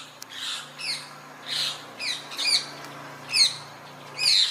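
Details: Rose-ringed parakeet, the Indian parrot, with natural sound: harsh, downward-slurred squawks repeated about once a second, each a rasping burst with a low background hum.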